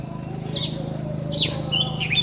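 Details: A red-whiskered bulbul perched high on a treetop in the morning, recorded from afar, gives a few bright, slurred whistled notes over two seconds, with a steady low hum and faint music underneath.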